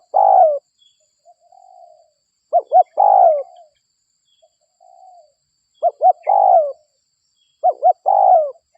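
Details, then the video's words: Spotted dove lure call from a local bird, meant to bring other doves in: paired short hooting notes and a drawn-out descending coo, repeating at intervals, with softer faint coos between phrases. "Pikat Suara DERKUKU Lokal Gacor RAJA PIKAT Ahlinya Bikin Semua DERKUKU DATANG"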